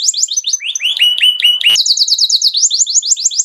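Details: A canary sings Mushti-style mating song: slurred rising whistles and chirps, a sharp click, then a fast, even series of high downswept notes repeated many times per second.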